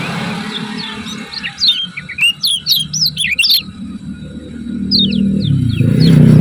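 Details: Kecial kuning, the lemon-bellied white-eye of Lombok, giving ciak ciak chatter for masteran: thin rising and falling whistles run into a quick string of bright, looping chirps, followed by a few sliding notes over growing background rush.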